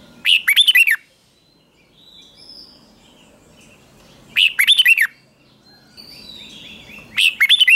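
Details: Morning training song of a red-whiskered bulbul, used for competition singing and to stir wild-caught birds to sing: the same short bubbling phrase of about five notes repeats roughly every four seconds, with soft twitters between phrases.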